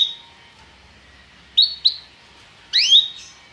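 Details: Belgian canary, song meant to bring canaries into breeding condition: a few short, separate high notes, two quick slurred chirps, then a louder rising upswept note, with quiet pauses between.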